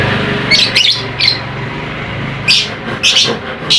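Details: Lovebird chirping, played as a lure to rouse a lazy lovebird into song and stir up other lovebirds: short clusters of high, shrill chirps in bursts, with pauses, over a steady low hum.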